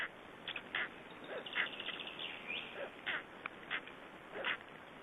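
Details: Black stork coming back to newly hatched chicks at an Estonian nest, 2012: scattered brief nasal, bending notes and sharp clicks, uneven in spacing, with constant hiss behind them.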